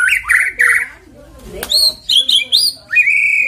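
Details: White-rumped shama song used as a lure to prompt singing: strong whistled notes, a brief noisy pause, then upswept chips and a long steady whistle at the end.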